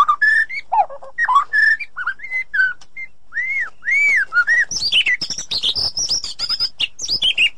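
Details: White-rumped shama song, edited for clarity and played as therapy to get a silent shama singing: clear whistled phrases, some arched and rising, giving way after four seconds to rapid high twittering and chattering notes.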